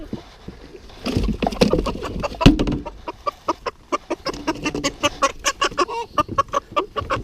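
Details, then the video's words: Young cockerel caught unexpectedly from the coop for leg ringing; after a scuffle of flapping and handling, loud rapid squawks and clucks burst out in a fast repeated series, several per second, with short harsh calls. "we go. That was a bit totally unexpected. He wasn't expecting that. You see this one's going to be one of the cockerels."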